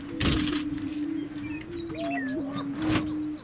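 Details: Greater Prairie-Chickens boom on a lek in grasslands near McCook, Nebraska, in a low, hollow, steady drone of overlapping hoots. Thin whistled songs of Horned Larks and Western Meadowlarks and sharp camera clicks sound above it.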